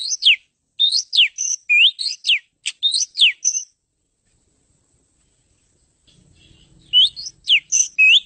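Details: An Oriental magpie-robin delivers a rapid run of varied whistled phrases, rising and falling slurs and a click-like note, then goes quiet. Faint low rumbling comes just before the song resumes.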